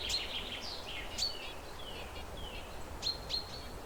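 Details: A perched zebra finch gives short, nasal, downslurred call notes, about a dozen in four seconds, with a few sharp ticks over a low background hiss.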